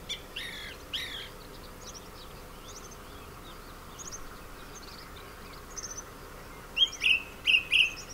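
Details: Male song thrush singing from abandoned orange groves at Sueca, Ribera Baixa, Valencia, Spain, where it now breeds. It opens with two loud bright notes, then quieter scattered chirps, and ends with a clear, sharp phrase repeated four times in quick succession.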